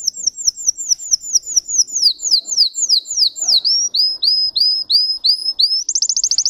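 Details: Singing Russian canary, kept and bred for song: quick high downslurred notes give way to slower upswept whistles, then the phrase ends in a very fast, tight trill.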